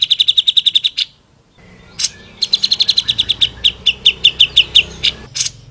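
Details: Grey-cheeked bulbul in a training recording for other songbirds: fast bursts of sharp repeated chipping notes, about ten per second, broken by a pause and a single harsh note, then a longer run.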